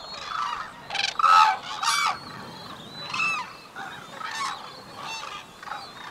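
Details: A female white-naped crane opens the courtship unison call with fast, high, short notes, and the male answers with longer, lower pulsed calls; loud trumpeting honks in a rough duet, bursts about every second with shorter answering notes between.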